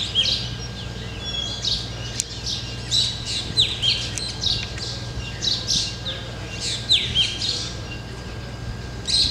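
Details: Flock of black drongos sitting on a tree in the jungles of Ranthambore, Rajasthan, giving dense overlapping chirps and sharp downslurred whistles, many birds calling at once in a busy chorus with a steady low hum behind.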